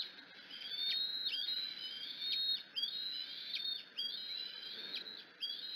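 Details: Hungry bald eagle eaglet on the Decorah nest screeching at its mother: piercing, whistled high screeches with sharp downward slurs, repeated about every second, hiss behind.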